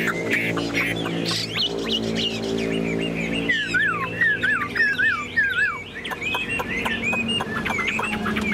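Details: Chinese hwamei, tame and caged, singing from a hand-carried cage: varied whistled notes and a run of falling slurs over a steady low mechanical hum.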